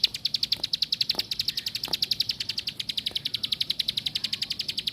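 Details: Plain prinia pouring out a continuous run of quick, high, metallic notes, about three to four each second, with occasional soft knocks behind.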